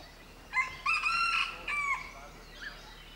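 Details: Indian junglefowl calling in the background near a billing Kalij pheasant pair: one loud, harmonic, broken crow of about 1.5 seconds, clipped and slightly rising before it falls away, then a faint chirp.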